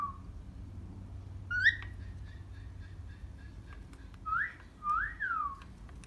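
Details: In the morning, a happy cockatiel kept as a pet gives a sharp chirp, then a pause with faint clicks, then three loud whistles that rise and fall, the last one long and sliding down, against a quiet indoor hum.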